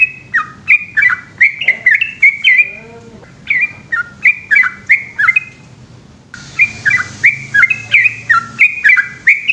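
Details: Yellow-vented bulbul at night pouring out a lengthy ropel song, rapid warbled notes tumbling up and down; a brief lower whirring sound and a burst of hiss interrupt partway through.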